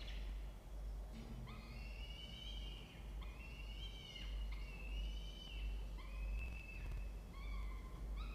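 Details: Peregrine falcons calling from their nest box inside a water tower at Charles Sturt University, Orange, New South Wales, Australia, morning of 16 October 2024. A series of prolonged, tonal, harmonic wails, some sliding up or down, with steady low hum underneath.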